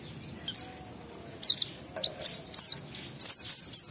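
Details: Oriental white-eye song used as a lure to get other white-eyes singing: high, thin descending whistled notes in short bursts of two or three, with gaps between phrases.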